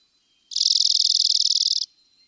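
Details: A Dark-eyed Junco (Junco hyemalis) gives its dry, high chatter call: a fast, even run of about twenty-five metallic ticks in just over a second, with no other sounds.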